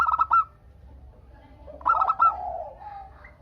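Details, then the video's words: Local zebra dove in full song as a lure for replying doves: two bursts of quick, bright stuttering notes, the second trailing into a lower, drawn-out coo from another dove. "Perkutut Lokal Gacor Untuk pancingan kutut perkutut agar saling bunyi BERSAUTAN"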